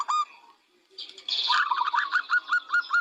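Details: Local zebra dove singing: a single low note, a gap, then a burst of rapid, pulsed cooing trills against bright high chatter from other small birds.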